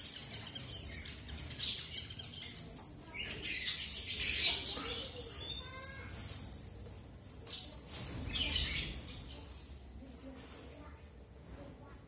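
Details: Red avadavat, also called strawberry finch: high, thin chirps and short flat whistled notes in quick irregular bursts, with a few brief buzzy notes and lower rattling chirps between them, over faint background noise.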